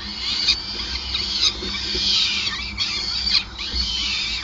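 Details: Peregrine falcon feeding scene at the Gasunie Groningen nest, 5 May 2020: rapid run of harsh, high squeals with sharp accented notes roughly once a second, over continuous low-frequency hum.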